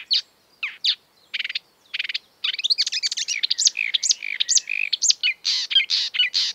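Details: Exuberant marsh warbler (Acrocephalus palustris) song, an imitator of European and African birds: a few spaced buzzy rattles, then a rapid tumbling stream of high twittering, whistled slurs and harsh notes without pause.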